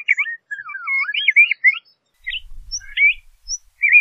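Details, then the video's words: Song of a LeConte's thrasher: sweeping whistled slurs rising and falling, then a few separate chirps, with a faint low rumble partway through. "LeConte's Thrasher Bird Singing, Calling, Chirping - Cuitlacoche Pálido Canto"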